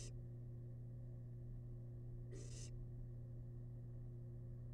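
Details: A single rasping, noisy hiss of about half a second from a wild barn owl chick eating rabbit leftovers in its nest box, set against a constant low hum.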